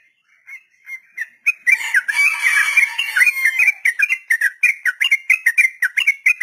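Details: Trucukan, the sooty-headed bulbul, in long 'ropel' song meant for training tame-less beginner birds: sparse whistles build into a dense, harsh jumble of notes, then settle into quick repeated whistled notes about four per second.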